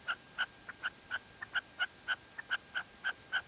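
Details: Female red-legged partridge in La Mancha, Spain, giving short clipped notes about once a second in an uneven series, each note with a bright overtone, against a quiet background with a faint steady tone.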